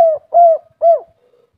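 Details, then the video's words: Spotted dove, a native local bird, giving three soft, low, hollow coos, each gently falling and trailing off, about half a second apart. "Suara burung derkuku kuk 3 ful gacor - suara empuk"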